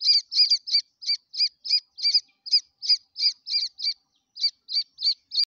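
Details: Repeated shrill peeps from grey francolin babies, some doubled, about three per second, with a short gap near the end before the cheeping resumes and a brief click closes it.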